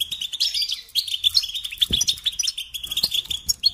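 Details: Goldfinch singing in captivity: an unbroken run of tinkling, twittering notes and nasal buzzy phrases, with a brief thud midway.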